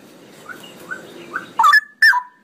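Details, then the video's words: Straw-headed bulbul: faint separate whistles at first, then two loud, bubbling, falling phrases close together at the end, part of a long ropelan song. "suara burung cucak rowo ropelan panjang"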